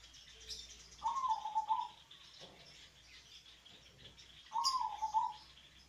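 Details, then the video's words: Local zebra dove, deep-voiced, singing to entice reluctant doves to sing along: two throbbing, stuttered coo phrases about three and a half seconds apart, a short high chirp before the second one. "pancingan Suara perkutut lokal"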